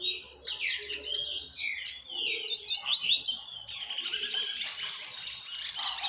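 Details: Double-collared seedeater singing, used to teach chicks: fast, tumbling whistled phrases in the first half, then a rough, noisy wash of high sound with a faint low rumble throughout.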